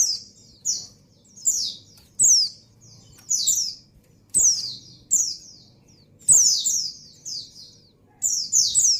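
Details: A female white-eye in breeding condition calls to the male in a lively run of piercing downslurred chirps, often doubled or tripled, about every second, with faint background hum.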